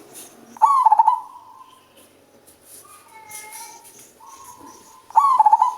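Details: Male zebra dove with a deep, bass-toned voice, calling freely: two bursts of rapid, stuttering coos, each opening with a short rising note and then pulsing quickly before trailing off, about four seconds apart, with faint background hiss between.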